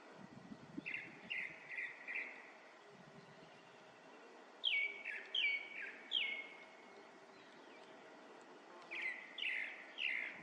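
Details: Grey-backed thrush singing: clear, whistled, slightly falling notes at a fairly high pitch, given in three bursts of three or four quick repeated notes with pauses between, over a faint low rumble.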